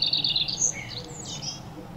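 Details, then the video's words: Playful birds chirping while bathing and eating: high, bright chirps come in quick clusters, some trilled, others short rising and falling notes, over a soft low background rumble. "Sounds of playful birds chirping, bathing and chewing food"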